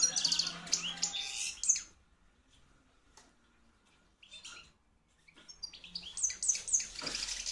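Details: Hand-reared field-type European goldfinch, a junior bred in 2013, singing loudly in captivity; bright twittering bursts with high tinkling notes at the start and end, a quiet gap in between.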